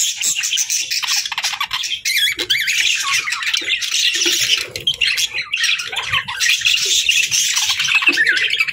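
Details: Pet budgies give nonstop loud, harsh chatter: squawky, buzzing warbles with quick rough notes layered thickly throughout, barely pausing over nearly nine seconds.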